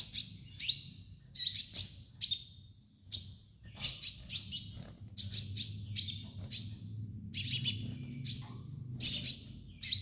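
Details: Sunbird (kolibri ninja) master song for training birds: rapid high chips, each ending in a sustained thin whistled tone, repeated in quick bursts with a soft low hum beneath.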